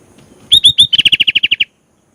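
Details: Active Sooty-headed bulbul song full of filler phrases: three loud upswept whistles introduce a rapid, evenly spaced run of roughly eleven bright notes, then silence.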